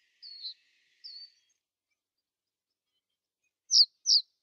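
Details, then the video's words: Wintering common reed bunting at Genk, Boxberg, 2012–2013: two thin descending seeps, a pause, then two sharp high chips in quick succession, with no other clear sounds. "Rietgors (emberiza schoeniclus) - Reed Bunting - winter 2012 - 2013"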